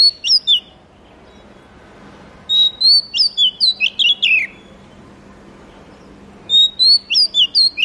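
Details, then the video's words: Oriental magpie-robin (murai kampung / kacer) singing three bouts of song: bright whistled notes in quick succession, several falling slurs and a held level whistle, bouts separated by pauses of about two seconds; steady faint hum. "suara murai kampung/ kacer terbaik 2022"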